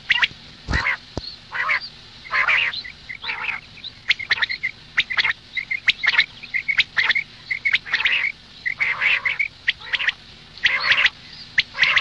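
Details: A long run of female common quail calls: rasping, nasal bursts alternating with short high pips, repeated irregularly throughout, with a couple of sharp knocks near the start.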